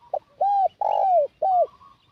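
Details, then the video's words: A spotted dove coo used to lure wild doves, opening with a short clipped note, then three loud arched coos, the second longest and bending downward at its end. "Mendengar Suara Pikat Burung Tekukur Ini Langsung Melambung Pencari Pikat"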